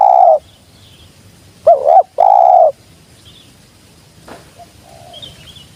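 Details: Spotted dove giving a low, mellow coo: one long steady note, then after a pause a short wavering note followed by another long hollow coo, with quiet outdoor background and faint distant chirps.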